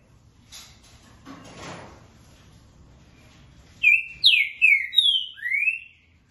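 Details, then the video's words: Green-winged saltator (Saltator similis) sings a short phrase of about five loud, rich whistles that slur down and up, after a few seconds of faint rustling and a soft noise burst. "Trinca dando canto dobra e boca mole"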